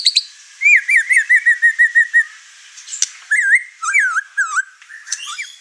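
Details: Over-excited white-rumped shama displaying its song material, provoking the other birds at home. A series of about ten wavering whistled notes is followed by looping, warbled whistles and sharp clicks.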